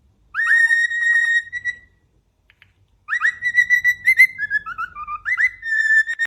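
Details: Cockatiel perched on top of its cage giving a whistling serenade: sustained clear whistles, then after a gap a busier run of rising, falling and wavering whistled notes.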